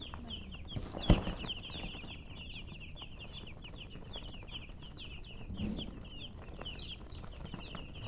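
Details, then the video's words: Baby chickens chirping in a busy chorus: many short, high, downward-slurred peeps overlap continuously over a steady low hum, with one sharp knock near the start. "MURGI Baby "Chicks Chirping" Sound"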